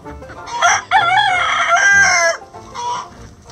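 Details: Chicken at its coop during breakfast feeding, one loud drawn-out harmonic call lasting nearly two seconds, rising sharply then holding steady before falling away, followed by a softer short call; faint low hum throughout.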